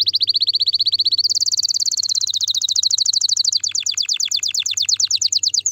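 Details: Canary singing to stimulate the female: steady rapid trill, then a dense buzzy roll, shifting into quick repeated downward-sweeping notes. Bright, high, continuous phrases with a faint low hum behind.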